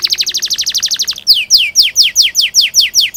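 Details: Canary used to coax young birds into song: a rapid rattling trill of short notes followed by slower, repeated downward-slurred whistles.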